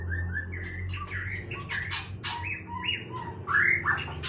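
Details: White-rumped shama singing playfully, a mix of whistled notes and slurred phrases around mid pitch with harsher chattering bursts, over a steady low hum.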